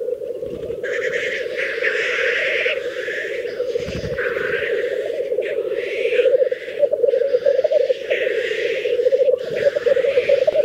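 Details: Several black grouse at a lek in Teesdale, North Pennine uplands of the UK, performing their mating display; an unbroken, throbbing bubbling chorus underlies frequent loud, rasping, hissing bursts that come every second or so.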